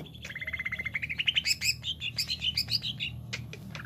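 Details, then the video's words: Cucak ijo, the greater green leafbird, delivers a fast series of repeated notes rising in pitch, then a lively tumble of high, varied chirps and twittering phrases against a low background drone. "CUCAK IJO JAMTROK WIK WIK"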